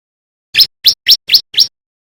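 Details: Bar-winged prinia, a white-breasted male practising its song: five separate sharp upswept chirps spaced about a quarter second apart, bright and loud against a quiet background.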